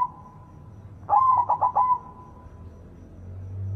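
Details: Loud-voiced white zebra dove in full song, played to coax non-singing doves: a short run of four throaty, trilled coo notes, then a fading held tone over a low background hum.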